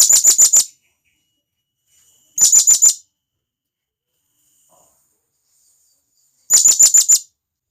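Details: Blue-crowned hanging parrot, a wild forest bird, calling its companions with three separate bursts of four or five piercing, high, rapid chips, spaced a few seconds apart in silence.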